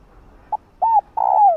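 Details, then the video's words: Female spotted dove coos to attract a male: a quick low pip, an arched hoot, then a long, loud coo that slowly slides down in pitch. "Chim cu gáy thúc trống,gọi trống đưa trống lên đỉnh | cu mái gáy"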